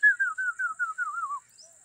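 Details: Indian ringneck parrots with a baby on green grass: a quick string of seven or eight wavering whistled notes that slowly fall in pitch, then fade into quiet.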